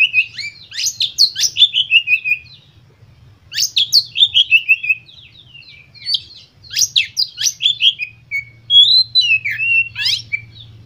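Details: White-rumped shama song used to stimulate other birds: loud phrases of rapid repeated chirps, each series slurring downward, broken by short pauses, with a low steady hum underneath.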